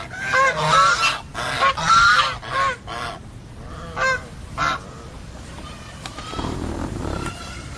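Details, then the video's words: Geese honk in a fast, loud volley of harsh, overlapping calls, then a few spaced single honks, fading to quieter background noise. "Funny GEESE SOUND / Suara Binatang Lucu ANGSA Soang"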